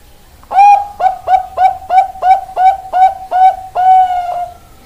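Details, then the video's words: Ringed Bangkok-type zebra dove with a big, long voice: one full cooing phrase, a rising first coo followed by seven rapid, evenly spaced short coos and a long, steady, slowly fading last note. "Perkutut Bangkok Ring 414, 337, 454 Suara besar, panjang, lelah"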